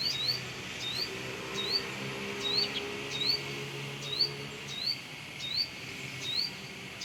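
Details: A Brown-throated sunbird sings energetically close to its nest around a home: a steady series of sharp upward-sweeping chirps, roughly one per second, over a low droning hum.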